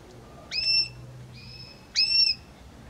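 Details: Belgian canary singing: two short bright whistled notes with a sharp upward onset, spaced over a second apart, separated by a faint steady tone.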